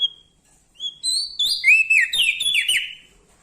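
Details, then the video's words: {'caption': 'Loud song of a Lombok bar-winged prinia, singing vigorously: thin whistles climb in steps, then burst into a rapid, tumbling run of bright buzzy slurs lasting about two seconds.'} "Prenjak Daun Lombok gacor Mental Juara Nempel Sama Burung Besar Suara Nyaring"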